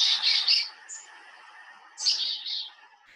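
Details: Black-capped Chickadee giving a fast call: a burst of harsh, scratchy high notes, a brief thin high note, then a second run of buzzy, rasping notes that fade out.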